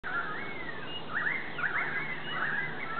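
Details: Autumn flock of currawongs, possibly close to 30, gathered in trees around a yard, give eerie ringing, whistled calls that slide up and down and overlap, with a steady low rumble underneath.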